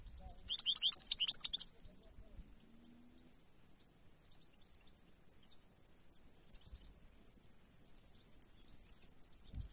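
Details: Wild goldfinch giving one short burst of bright, twittering high notes lasting about a second, then a long quiet stretch.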